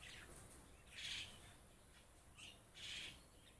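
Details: A flock of myna birds giving loud, harsh, noisy squawks in short bursts about every two seconds, with quieter chatter between them over a steady hiss.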